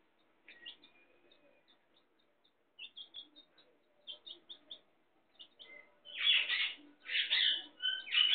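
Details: Chicks with their mother hen, giving rapid high peeps in bursts, then several loud, harsh, broad squawks in the final seconds.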